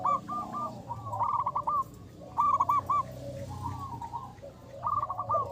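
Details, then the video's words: Local zebra doves, prized as a lure with a strong voice, cooing. Clusters of quick, stuttering coo notes arrive in separate bursts about a second apart, softer in between, against a low steady background hum. "Perkutut lokal gacor jawara pikat.suara besar."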